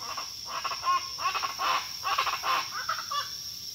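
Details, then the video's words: Crested guan giving harsh, raucous honking notes in quick irregular bursts, several per second, over a steady high insect-like hiss. "El Canto De La Pava Guacharaca"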